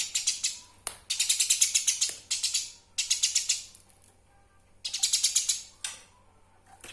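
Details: Eurasian tree sparrow recorded as a master sound for training songbirds: dense bursts of harsh, rapid, rattling chirps, each burst about a second long, separated by short pauses, with a faint low hum.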